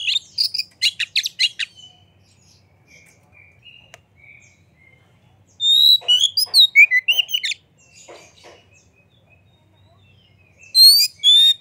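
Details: Oriental magpie-robin in full song with tail spread, used as a lure to rouse other magpie-robins into singing: bursts of sharp high chirps, then soft whistled notes and a long run of rich warbled phrases, ending in bright whistles.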